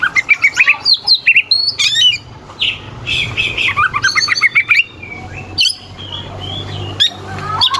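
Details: Oriental magpie-robin in full song, used to make rival kacer more persistent and agitated in contests. Fast rising whistles alternate with stuttering, rattled phrases and scratchy notes over a low hum.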